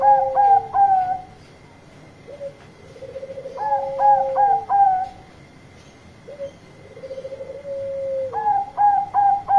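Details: Zebra dove calling loudly to summon a companion: phrases of three or four quick, mellow notes and then a lower rolling, purring coo, repeated about every four seconds over a faint steady hum.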